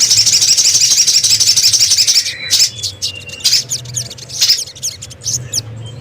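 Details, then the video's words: Crimson sunbird, locally called sogon or sogok ontong, in a lure-call recording: a dense, very high, rapid buzzy trill for about two seconds, then scattered sharp chirps and short thin whistles over a faint low hum. "Suara pikat burung sogon, sogok ontong"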